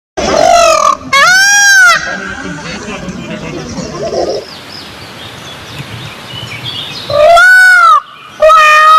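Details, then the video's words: Indian peafowl giving loud, nasal, strongly harmonic calls, each arching up then down in pitch, heard as two paired cries at the start and another pair near the end, with a quieter hiss of background noise between them. "SUARA BURUNG MERAK TERINDAH"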